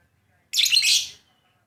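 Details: Lovebird giving one dense, high, buzzy chattering burst lasting under a second, then falling quiet.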